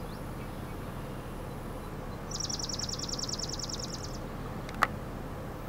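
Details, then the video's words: Swamp Sparrow on Muskrat Road, Flowerfield, Michigan, 11 July 2016, giving a high, even trill of about twenty quick repeated notes lasting two seconds, over a steady low rumble and a sharp click. "Swamp Sparrow"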